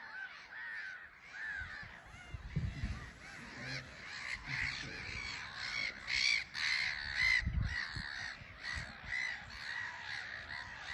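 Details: Black-headed gulls in a bustling colony on a small island at Frampton Marsh, taking off and landing; a dense chorus of harsh, grating calls overlapping constantly, with scattered low thumps beneath.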